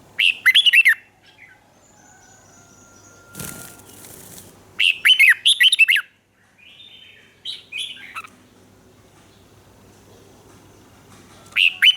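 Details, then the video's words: Red-whiskered bulbul kept in a cage in Thailand, song in southern master style played to stimulate birds and teach chicks: repeated short, lively whistled phrases over twelve seconds, with one brief burst of rustling noise between them. "เสียงนกกรงหัวจุก สำหรับต่อ หรือ เปิดให้นกคึก เสียงเพราะๆ"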